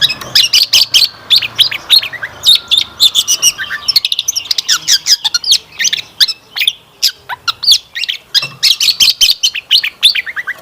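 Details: Long-tailed shrike in full energetic song, played as a lure to make other shrikes reply and sing. Its rich fills of varied notes form a dense, fast stream of scratchy chatter mixed with sharp high chirps and short whistles, continuous throughout.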